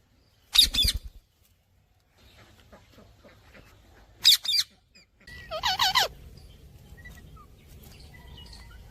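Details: Talking parrot calling: two loud harsh squawk bursts about four seconds apart, followed by a wavering harmonic chattering call, with a low steady background hum after it.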